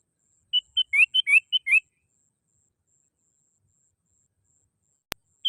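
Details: Lure call of a sooty-headed bulbul, used to draw in other birds: a single quick phrase of clear whistled notes alternating with upward-slurred notes, then silence with a sharp click near the end.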